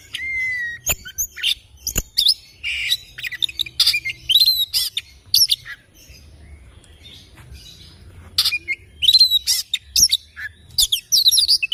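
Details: In the morning an oriental magpie-robin sings loud harsh squawks, sweet whistles and scratchy chirps, opening with a long steady whistle, then falling quiet midway before resuming with bright, buzzy phrases.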